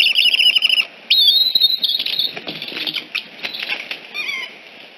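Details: Eagle calls at Decorah nest N1, 6:45 am, 14 September 2018, during a fledged juvenile's visit and escort away; shrill whistled chatter and a sliding squeal give way to rustling and flapping sounds with faint notes.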